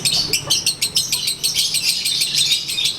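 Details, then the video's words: Sunbathing Konslet lovebird giving its daily ngekek: a short run of bright, squeaky, high chattering notes in quick, uneven bursts. "Durasi Volume Gaya Suara ASLI Harian LB"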